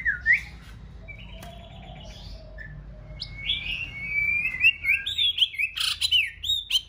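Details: Song of a female white-rumped shama singing to excite a male, in full new plumage before breeding season. A brief whistle opens, a quiet stretch follows, then a rush of bright slurred whistles and rapid chips.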